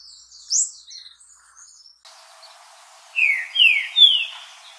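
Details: Green-winged saltator (trinca-ferro) giving a short run of three clear slurred whistles, each sliding downward. A hissy background follows a sudden cut, and a faint high chirp comes earlier.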